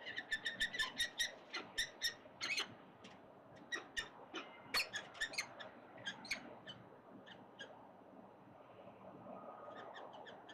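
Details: Wild Peregrine Falcons at a city building nest, the male following the female, trade sharp, scratchy chips, rapid at first, several a second, then slowing to scattered notes over a faint hum; 25 September 2022, breeding season.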